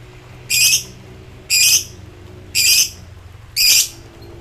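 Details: Lovebird, highly excited and calling rivals in ngekek style: four harsh, buzzy, high chattering bursts, evenly spaced about once a second, over a faint low hum.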